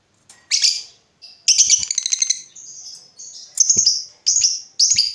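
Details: Lovebird used as a song lure for other lovebirds, giving short high chirps and brief rattling bursts separated by gaps, each lasting under a second, with sharp metallic notes.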